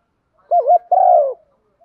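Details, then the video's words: Decoy spotted dove calling to lure: a short rising-and-falling double coo, a brief pause, then a sustained hoarse coo that fades at the end. No other sounds. "chim cu gáy mồi cườm thòng thúc vấy gáy gọi một hậu giọng hấp dẫn"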